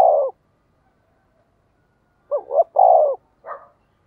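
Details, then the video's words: Decoy spotted dove cooing to lure wild doves. A short low coo, then silence, then a phrase of two quick hooting notes running into a longer, drawn-out deep coo, followed by a brief softer note. "Chim Cu Mồi Thúc Và Gáy Gọi/ tiếng cu gáy mồi chuẩn kích bổi"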